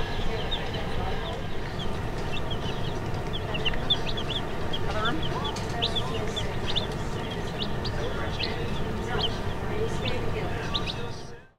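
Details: Many young chicks in a store peep continuously: thin, high, downward-slurred chirps scattered through the recording over a constant low rumble of store noise, with faint human voices in the background.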